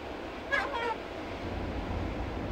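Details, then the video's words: Seagulls calling at Storm's River Mouth Rest Camp, Tsitsikamma National Park, with a quick pair of short, nasal, wavering cries in the first second, followed by continuous low rushing surf-like noise. "Seagulls chatting."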